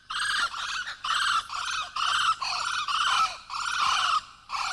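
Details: A nesting pair of blue-winged kookaburras in an old gum tree by a billabong in Kakadu, northern Australia, give harsh, raucous cackling bursts about one per second; territorial calls of the dawn and dusk chorus.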